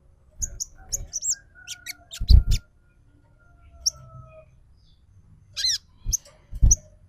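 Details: ['Crimson Sunbird call used as a lure to make a bird sing: thin high chirps and short whistled slurs, a faint long whistle, and a few scratchy notes with low knocks between them.']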